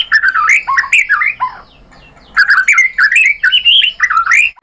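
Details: White-rumped shama singing, a lure recording meant to make other birds reply: rich warbled phrases with sliding, bending notes, a quiet gap of about a second, then another loud varied run of whistles.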